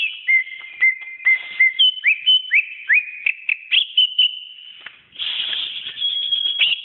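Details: Greater green leafbird training song: short ringing whistles, then a series of upslurred whistles each sliding into a level tone, followed by a dense, slightly buzzy sustained high warble.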